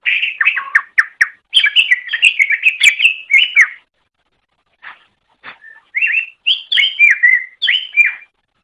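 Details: Greater green leafbird song as a master for training other birds: long, busy sequence of slurred whistles and chirps, a short break with scattered notes, then further looping whistled phrases.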